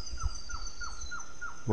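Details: Surucua Trogon, one of a vocalizing pair, in Yabotí Biosphere forest, Misiones, as trees regreen coming out of winter. Three birds are present, one a male perched high. A steady series of soft, down-slurred notes, about three per second, over a high insect whine and low rumbles.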